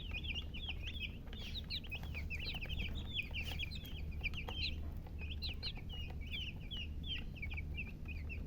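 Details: A group of baby chicks chirps without pause, high looping peeps in quick succession, over a faint low hum.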